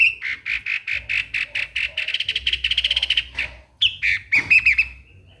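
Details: Streak-eared Bulbul calling: a steady train of short, harsh notes that quickens into a fast rattling series, then a few louder squawky chirps, with low rumbling noise beneath.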